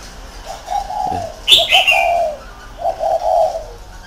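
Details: Spotted dove kept as a decoy bird in a round cage, giving low, hollow cooing phrases, with one sharp higher chirp from another bird in the middle.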